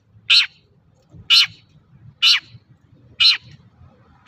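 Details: Long-tailed shrike in full voice, used as a lure to prompt other shrikes to sing: harsh, grating broadband notes repeated about once a second, five in a row, over a low background hum.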